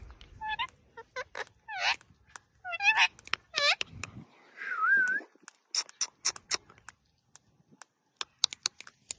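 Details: Pet ringneck parakeet chattering nonstop: rapid bursts of short, bright chirps and squeaky notes, several sharp upward-sweeping calls, and a wavering whistled note near the middle. Brief clicks and small taps follow toward the end.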